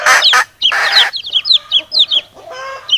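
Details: A hen and chicks answering each other: two loud, coarse hen clucks, then bright falling chick peeps about every quarter second, and a soft, low, harmonic cluck near the end.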